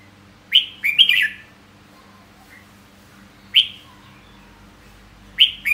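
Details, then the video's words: Red-whiskered bulbul repeating short, cheerful whistled phrases, three quick notes first, then single bright notes several seconds apart, each slurring downward. Near silence between. "Giọng hót chào mào"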